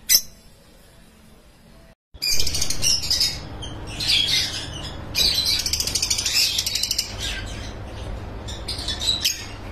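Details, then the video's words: Lovebirds in a breeding farm: after a quiet start and a brief silence, a burst of loud, harsh, high-pitched squawks and rapid chirping chatter, with overlapping birds calling in quick irregular bursts. "Love Bird Sounds"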